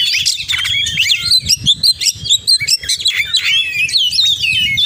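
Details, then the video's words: Rapid oriental magpie-robin song rich in imitated phrases, fast sequences of short chirps and swooping whistles delivered in bursts, over a quiet low rumble. "Kacer Gacor Full Isian"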